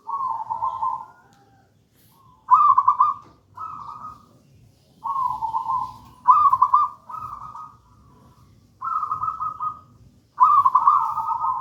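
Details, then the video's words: Zebra dove, local gedang rojo style, singing as a master and lure song: eight rolling coo phrases in groups, alternating softer lower notes and louder vibrating trills, with short silences between. "Perkutut lokal gedang rojo gacor merdu bird voice"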